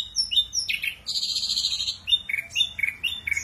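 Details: Ashy drongo singing tembakan kasar, rough bursts: clear whistled notes, then a long harsh buzzy rattle, followed by repeated short slurred whistles at a steady quick pace.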